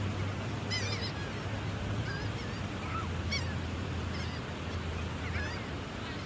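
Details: Gulls being fed, giving scattered short harmonic calls that rise and fall, some in quick doubled bursts, over a steady low background hum.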